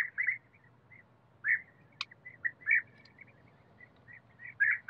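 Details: Forest scene with a European bee-eater: burry, trilled notes come in loose pairs and singles, separated by soft mellow chirps, with a brief click midway and a low steady hum behind.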